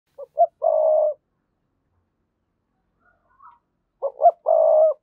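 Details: Spotted dove decoy calling meant to prompt other doves to coo: two low coo phrases about three seconds apart, each two short hooting notes and then a long, steady, husky coo. A faint, brief note falls between them. No other sounds.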